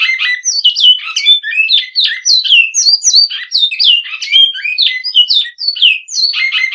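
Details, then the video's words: Classic-style song from a great-billed seed finch: a sustained flow of loud whistled notes, falling glides and quick buzzy clusters, repeated variations tumbling one after another. "Bicudo Canto Clássico"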